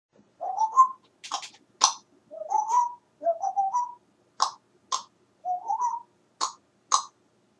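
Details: A male African grey parrot (Psittacus erithacus) practises his own version of the Addams Family theme, whistling short rising phrases, each followed by sharp clicks copying finger snaps, repeated about every second.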